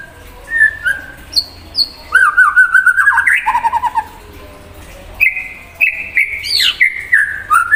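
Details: White-rumped shama singing prolifically to provoke an untrained shama: varied loud whistled phrases, a pure note, a fast rapid trill of looping notes, then rising and falling whistles with brief pauses between bursts.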